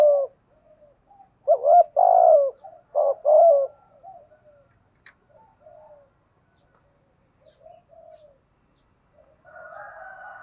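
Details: Spotted dove calling to lure wild doves: a few low mellow coo phrases early on, then faint softer coos and a brief higher tone near the end.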